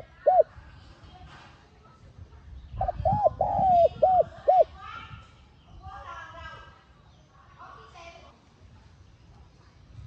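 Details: Spotted dove cooing to stimulate a decoy bird to sing. A single early coo, then a phrase of arched and drawn hollow coos, with voices and children's chatter in the background.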